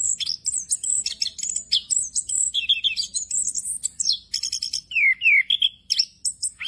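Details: An orange-headed thrush delivers a full 'ngerol' song packed with fill phrases, meant as a tutor recording. It has quick high twittering and buzzy notes and, later, a few clear downslurred whistles lower in pitch, with a soft background rumble.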